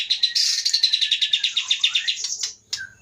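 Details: White-rumped shama from Pining in Aceh's Leuser mountains, caught from the forest in 2010–2011, a 22 cm-tailed bird noted for powerful volume, delivering a fast run of about twenty bright repeated chips, then a separate sharp note after a pause.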